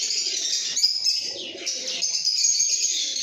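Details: Lovebirds singing and chirping: a dense, continuous wash of high, shrill chattering and twittering notes, with a softer, lower cooing murmur underneath that swells and fades.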